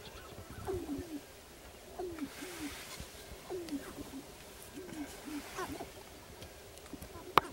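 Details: Sharp-tailed grouse on a lek in northern Wisconsin, April 29, 2021. Low, hollow cooing notes come about every 1.5 seconds over a soft rushing background, with a sharp click near the end.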